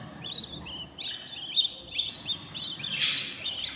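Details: Baby budgerigars in a new nest at fourteen days old, producing repeated thin, high chirps and short rising squeaks in a steady chatter, with a brief harsher burst toward the end.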